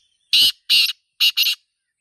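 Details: Black francolin calling in a natural environment: one grating phrase of four strident, buzzy notes, a spaced pair followed by a rapid double, lasting about 1.3 seconds, with no other sound.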